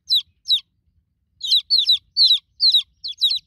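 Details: Two shrill peeps, a short pause, then a quicker series of loud, downward-sliding peeps from newborn chicks calling for their broody mother hen.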